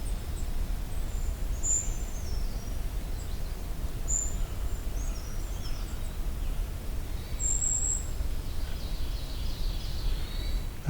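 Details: In the Allegheny National Forest, a golden-crowned kinglet gives a few very high, thin, sibilant notes spaced two to four seconds apart, over a steady low rumble of background noise.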